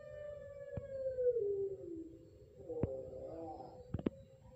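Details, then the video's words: Competition-line Pelung turtle dove from a Central Java breeder, Indonesia, Utama/Madya class rhythm example: a drawn-out low coo that slides downward, then a shorter wavering phrase, with sharp cage clicks. "Contoh Irama Puter Pelung Trah Lomba Kelas Utama dan Madya"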